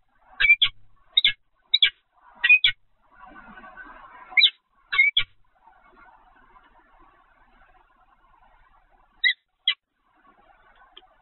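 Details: Peregrine falcon, recorded 7 February 2020 at 15:55 at the Evoluon site: a few rasping paired notes early on, then a long lull with soft background rumble before two final chips.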